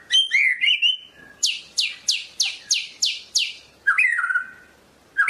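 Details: A Medan white-rumped shama sings loud, varied whistled phrases, then a run of seven quick downslurred notes, then more fluty whistles.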